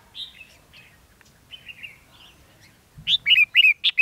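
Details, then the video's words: Red-whiskered bulbul used as a decoy for trapping in Ha Nam, Vietnam, recorded 13 November 2016; faint scattered warbles first, then a loud burst of five rapid, bright chirped notes near the end. "Bẫy chào mào Hà Nam mào lân yếm đậm ngày 13/11/2016 bổi 2"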